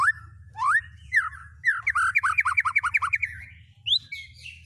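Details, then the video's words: White-rumped shama singing with mimicked fills of cililin, canary and lovebird songs: rising whistled slurs, then a quick run of about a dozen bouncing notes and a final high sweep, over a steady low hum. "Burung Murai Batu MU KURANG GACOR., BONGkar Isian speed cililin, kenari, love bird Dll..!"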